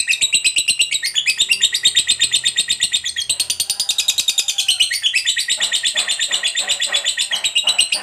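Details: Long ngekek chattering of a fighter lovebird, used to prompt other lovebirds to sing: continuous shrill trill of quick repeated notes with pitch shifts, a brief lower dip at the first and fifth seconds.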